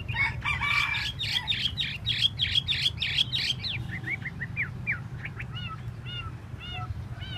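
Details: Chinese hwamei (hoa mi) doing its tail display, pouring out a rapid run of sharp repeated whistled notes, then a slower series of separate downslurred whistles toward the end, with faint low hum behind.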